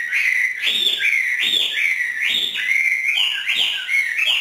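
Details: A Hwamei kept and trained by a northern Vietnamese artisan sings freely ('hót thả'): clear, loud whistles rising and falling, repeated in a steady rhythm roughly every second.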